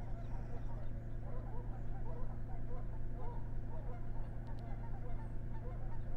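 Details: Morning flight of noisy geese passing overhead while birding at Blackfoot, many overlapping nasal honks forming a steady clamor over a deep low rumble of wind.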